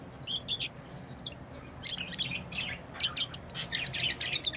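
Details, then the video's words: Rapid, thin, high-pitched tweets from lovebirds, first in a few paired notes, then a dense stream of quick chirps in the second half. "Love birds beautiful Love ❤️ | chirping sounds | parrot beautiful sounds"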